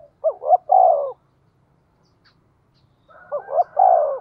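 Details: Spotted dove calling in the 'giọng thổ' style to lure and provoke wild birds. Two phrases come about three seconds apart, each two brief upward notes and a longer coo that sinks at the end.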